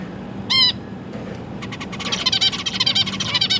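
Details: Zebra finch household with three juveniles and three newly hatched chicks being fed, December 2022; one loud nasal honk, then a rapid buzzy chattering run of fast repeated notes building up over the last seconds.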